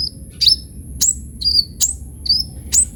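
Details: Active kolibri ninja sunbird in full varied song, meant as a lure and master tutor for konin birds: six piercing, downslurred high chirps about every half second, each followed by a brief thin whistle, with steady background hiss.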